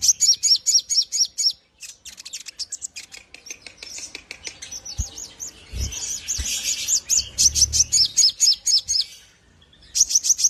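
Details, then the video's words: Javan grey-throated white-eye singing continuously as training song for other birds: a run of high downslurred chirps, then a dense stretch of mixed twitters and buzzy notes, returning to rhythmic high chirping. "burung sogok ontong /sogon gacor maximal cocok buat masteran"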